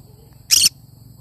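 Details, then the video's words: A cinnamon green-cheeked conure gives one harsh, high, grating screech lasting about a fifth of a second, with a faint low background hum. "Chinnamon conure sound"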